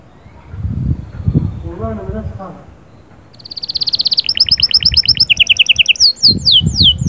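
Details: Canary song given to stimulate the female. A person talks quietly at first, then the bird breaks into rapid high rolling trills that change pitch in steps and end in sharply sweeping notes, with low knocking in the background.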